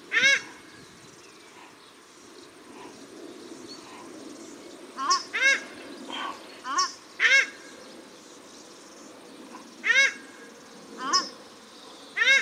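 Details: Male and female paradise shelducks calling at Cornwall Park, Auckland, New Zealand: loud, arched, nasal honking calls given singly or in quick pairs, about ten over the stretch, with a soft rustling background and faint distant birds.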